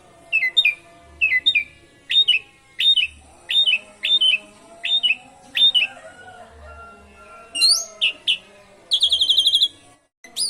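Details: Asian pied starling song with canary fill-ins, meant to lure other birds into singing: a run of separate, clipped downslurred whistles about every half second, followed by a rising note and a short rapid high trill.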